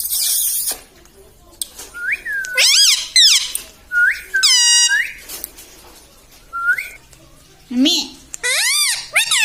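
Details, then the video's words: Talking pet parrot imitating words like mummy, papa and sita ram; separate harmonic syllables that sweep up and down, with short pauses and faint household noise. "Parrot talking mummypapa 🥰parrot talking sitaram 🙏parrottalkingmithu"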